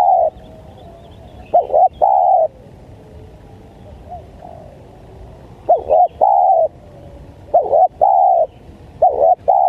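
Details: Spotted dove call used to lure wild spotted doves: about four phrases of two quick hooked coos followed by one longer, steady low coo, separated by pauses of several seconds.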